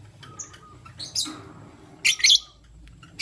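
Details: Lutino lovebird male with two females, choosing between them, morning: a few piercing, very high chirps, two loud harsh bursts close together, with quiet gaps between.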